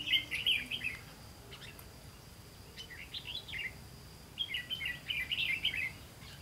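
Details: Red-whiskered bulbul recorded while trapping on 18 September 2016, delivering fast chattering runs of rapid chirpy notes in bursts, separated by short pauses, with faint background hum.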